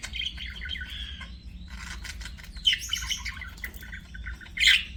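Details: Budgerigar chirps: soft warbled twittering with a few sharp louder notes and a brief harsh squawk near the end, over low hum.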